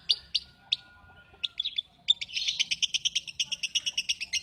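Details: Lovebird with three loud separate chirps, then rapid high chattering notes repeated about three per second, steady and insistent.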